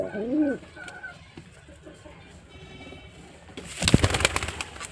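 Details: White male pigeon giving one short arched coo at the start, followed by quiet and then a burst of loud rustling noise.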